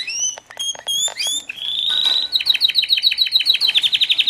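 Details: White foreign canary chicks, newly arrived, give several clear whistled chirps, then a sustained buzzy note running into a rapid, evenly repeated trill of sharp notes.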